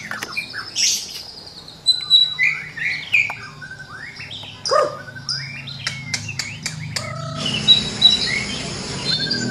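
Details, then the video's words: Varied White-rumped shama song full of fills, meant for training birds in the morning. It mixes slurred whistles, rising sweeps, a loud swooping note and a burst of rapid clicks, with a faint low hum behind. "Murai Batu Gacor Dor Full Isian || Untuk Melatih Burung Di Pagi Hari"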